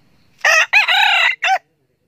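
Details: Crowing of a young red junglefowl cock used as a decoy, noted for crowing diligently: one clear, harsh crow with a brief first note, a sustained rasping middle section and a short abrupt ending, with quiet before and after.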